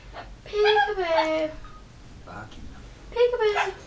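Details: Pet yellow-fronted amazon parrot, a three-year-old male kept indoors and known for talking and singing, producing two voiced, harmonic speech-like phrases with a quieter pause between them, in a small room.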